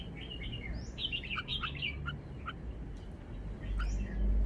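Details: Caged red-whiskered bulbul singing in the wild-song (phleng pa) style: short bright warbled phrases rising and falling through the upper range, clustered in the middle of the recording, over a steady low background hum.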